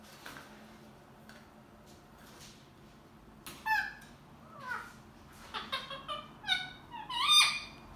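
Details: A pair of pet ringneck parrots in an argument: after quiet clicks, a run of sharp, nasal, downward-sliding squawks builds in loudness and tempo, ending on a strident shriek.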